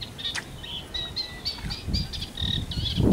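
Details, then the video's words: Eurasian reed warbler song from the London Wetland Centre: short repeated chirps and churrs in a steady rhythm, accompanied by low rumbling wind or handling noise that grows louder at the end. "reed warbler"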